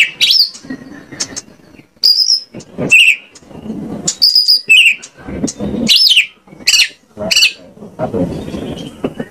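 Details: Lure song of an Oriental magpie-robin, Indonesia, meant to make other birds sing back: a busy mix of high whistles, downward slurs and harsh buzzy sweeps over murmuring low background noise.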